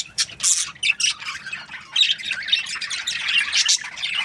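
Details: Chirping Australian budgies: short, sharp squeaky bursts at first, then a denser run of overlapping, buzzy twitters and warbles from a group of birds.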